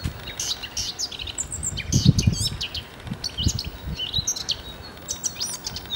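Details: Eurasian blackcap in Denmark singing a quick, rich warble of varied high notes in short bursts, over low rumbling wind noise.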